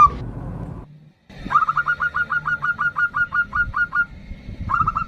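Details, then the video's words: Local zebra dove singing a lure song in the ndudut variation to call a rival: a steady string of about fifteen quick, clipped cooing notes after a pause, then a new run starting, with low background rumble. "Perkutut Lokal GACOR suara VARIASI NDUDUT Ampuh memanggil Lawan EMOSI MANGGUNG PANCINGAN PERKUTUT"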